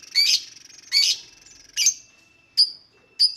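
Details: Lovebird calls: two longer harsh squawking bursts, then three shorter sharp high chips spaced well apart, with a thin steady tone held in between.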